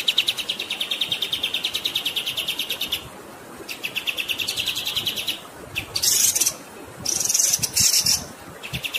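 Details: Songbird recording used to train competition and pet birds, set against flowing water: long runs of rapid, evenly repeated high chirps, broken by brief harsher bursts, over a constant rushing-water hiss.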